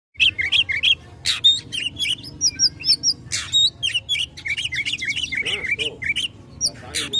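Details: Oriental magpie-robin singing in a fighting mood, provoking rivals: dense, varied song of rapid whistled notes, sharp buzzy bursts and repeated slurred phrases, loud and continuous throughout.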